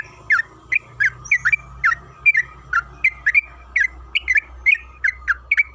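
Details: Song of a sooty-headed bulbul meant to stir rivals into singing, with crisp twisting chirps in pairs and singles, about two to three per second, over a low background drone.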